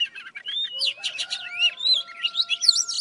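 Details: Old wild Oriental magpie-robin in morning song: soft chattering notes lead into a long whistled slur, then quick buzzy and twisting phrases, under a faint steady tone.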